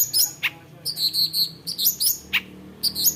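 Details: Long-tailed shrike (cendet), a mimic of many other birds' songs, delivers very high, thin chirps and short clipped whistles in quick clusters, with brief pauses between phrases.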